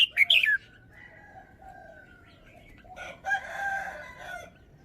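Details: Red-whiskered bulbul song phrasing: an opening burst of bright, slurred notes, followed by long steady whistles and a noisy rustling stretch.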